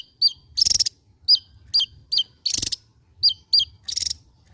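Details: Javan white-eye, endemic to Java, singing gacor: sharp high downslurred chip notes alternating with dense buzzy rattles, a rattle roughly every second.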